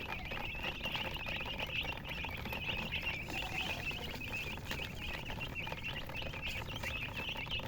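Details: Steady high-pitched peeping from many colour chickens, the chirps blurring into a continuous twittering wash over light scratching and patter.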